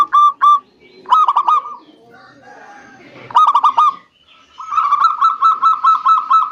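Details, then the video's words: Zebra dove song used as a lure for reluctant birds: short bursts of rapid, hooked cooing notes separated by pauses, ending in a long series of even, repeated clipped coos. "Terapi Perkutut MaLas Bunyi_Rutinkan Pancingan Ini Pagi Siang Sore"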